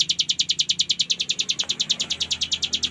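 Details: Tutor recording of ciblek gunung prinia ngebren song: sharp, high-pitched notes rattle off in a steady rapid trill, roughly eight per second, continuous throughout, over faint low background noise.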